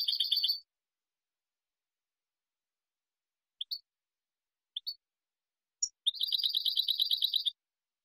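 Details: Clean European goldfinch song of the Spanish type, used to train juveniles. A short burst of rapid high chirping, several isolated single notes spread across the silence, then a dense trill of fast repeated notes lasting about a second and a half.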